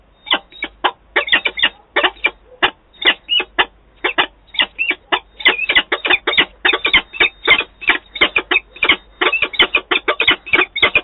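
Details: Wałbrzych, Poland, 11 September 2022: an adult peregrine falcon pair in what seems their first adult meeting; a long run of sharp, rasping notes, fast and fairly steady, sometimes doubled, continuing unbroken.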